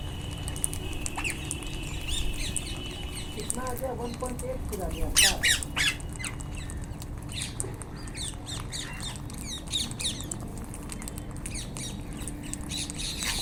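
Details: Wild Indian ringneck parakeets outdoors giving scattered harsh, screechy squawks, with a loud burst of rapid shrill calls near the middle, over a steady low rumble and a faint background hum.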